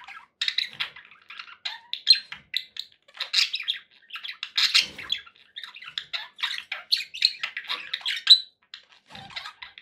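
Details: Happy pet budgies chattering indoors, a steady stream of quick scratchy chirps and warbled notes with short squawks, several short gaps breaking the flow.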